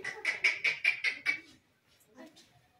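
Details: Pet Indian ringneck parrot playing with a mirror and reacting to its reflection indoors; six harsh, buzzy, evenly spaced squawks in quick succession, then a brief pause and softer chatter.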